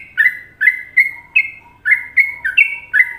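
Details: Sooty-headed bulbul, Indonesia, Trucukan song rhythm: crisp, liquid chirping notes delivered about three per second, each a short rising flick followed by a level whistle, with faint lower tones in between.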